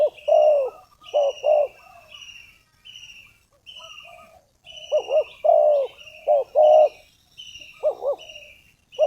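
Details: Spotted dove decoy luring wild doves into a trap, delivering bursts of double and triple coos with rolling, wavering tones, while a thin high whistled note from another bird repeats in the background.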